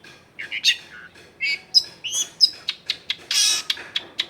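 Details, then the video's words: Long-tailed shrike singing, a lively bird used as a lure to prompt other shrikes to sing, recorded in a crowded residential area: varied squeaky notes, sharp ticks and a harsh rasping burst. "SUAR BURUNG CENDET GACOR COCOK BUAT PANCINGAN CENDET BAHAN BIAR IKUT BUNYI"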